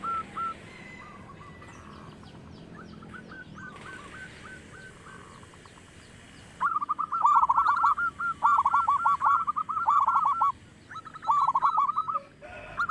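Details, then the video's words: Local zebra dove, kept as a loud-voiced lure bird for prompting others to sing: quiet, scattered cooing notes at first, then from about seven seconds a loud burst of rapid, staccato coos in dense, overlapping runs with brief gaps. "perkutut lokal suara besar"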